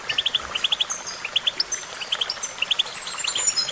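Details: Goldfinch singing in clear, liquid chirps grouped in quick triplets, repeated several times over a few seconds, with faint thin high whistles running behind them.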